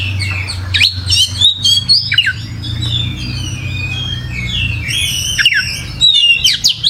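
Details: Oriental magpie-robin singing energetically (gacor): clusters of sharp whistled notes and fast downward slurs, a softer, sparser middle section, then renewed bursts of bright chirps, with a constant low droning hum beneath.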